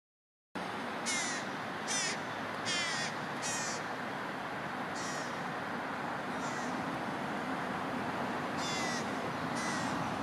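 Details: Juvenile American crows, big enough to feed themselves, beg for food from parents: about eight harsh, nasal, wavering caws at irregular intervals, over a steady rushing background noise.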